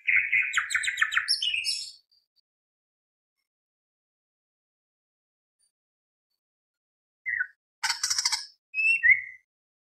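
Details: A greater green leafbird, excited and provoked, pours out a rich two-second burst of varied whistles and rattling notes, then after a pause adds short chips, a buzzy rattle and a whistled phrase.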